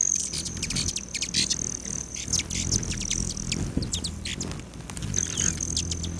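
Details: Hummingbirds at feeders on a west-facing lodge patio just outside Great Sand Dunes National Park, Colorado, July 29 at 9:14 AM; a sustained, very high metallic trill runs throughout, cut by rapid sharp chip notes, over a low background rumble.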